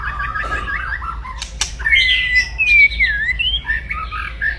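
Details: White-rumped shama, a captive bird, in loud aggressive crackling song meant to provoke rival males: whistled notes gliding and warbling around the middle-high range, with dry clicks and a brief broadband snap near the start.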